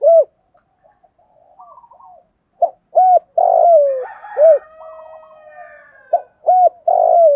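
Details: Decoy spotted dove gives morning flock calls: repeated low phrases of short hoots and a long downward-sliding coo. Fainter warbling and cooing from other birds sounds in the background between phrases.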